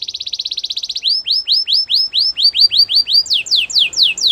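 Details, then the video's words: Canary song: a fast buzzy trill of rapid repeated notes, then a run of rising-and-falling slurred whistles about five per second, ending in quicker high downslurred notes; clean, with no other sounds. "Your canary will sing immediately | Canary bird sounds at it best"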